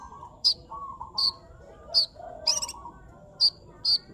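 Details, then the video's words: Sunbird singing actively: short, sharp high chirps spaced roughly half a second to a second apart, one brighter double note midway, with faint lower warbling notes from another bird in the background. "pesona burung kolibri gacor"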